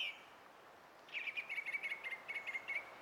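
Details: Song thrush song recorded 20 April 2016. A single high note is followed after a pause by a rapid run of about ten short, bright, chirping notes at an even pitch, with light background hiss.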